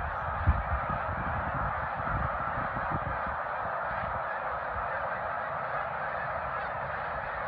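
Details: Snow geese by the thousands at Middle Creek, 2022, produce a constant droning chorus of merged honking, a sharp low thump near the start and steady background rumble.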